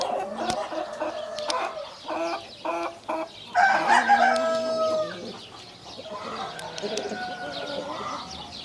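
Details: Chickens clucking in rapid bursts, then a rooster crows loudly for over a second with a drawn-out falling tail, followed by more clucking and a fainter, distant crow.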